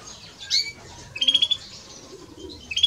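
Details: European greenfinch pair, male and female, singing: a sharp chirp, then a fast buzzy trilled phrase, a pause and another short twitter at the end.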